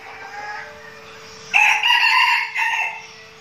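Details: Red junglefowl decoy rooster practising with its flock in Binh Phuoc, Vietnam: a distant raspy crow, then a loud, harsh, broken crow lasting about a second and a half, over a steady hum.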